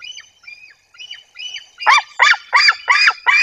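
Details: Wild white-tailed eagle near its nest in Bory Tucholskie, Poland, in 2024. A female drives an intruder from the nest. Faint high notes give way to loud, harsh, barking yelps repeated about three times a second.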